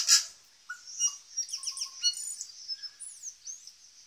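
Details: A pair of native tui displaying at Zealandia, Wellington, New Zealand: a rapid, varied phrase of sharp clicks, low whistled notes and high sweeping squeaks over a continuous high background hiss.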